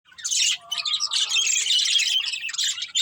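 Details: Breeding pair of budgerigars kept as pets, giving dense, buzzy, scratchy chatter and chirps, nearly continuous with a brief pause near half a second.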